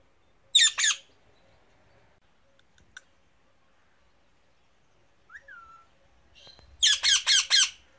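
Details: Rose-ringed parakeet (Indian ringneck) on a tree: a pair of harsh, grating screeches, then a quiet gap with a brief soft whistle, then a run of four rapid rasping screeches.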